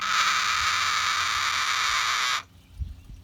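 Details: Relaxing pet cockatoo that has lost half its feathers to stress plucking makes a flat, continuous raspy hiss lasting over two seconds, then falls silent with a few soft low knocks afterward.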